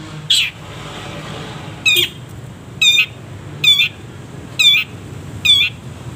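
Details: Long-tailed shrike, a caged bird, in a recording with many pauses used to train other birds. Harsh, ringing, rasping notes repeat about once every second with clear silent gaps between them.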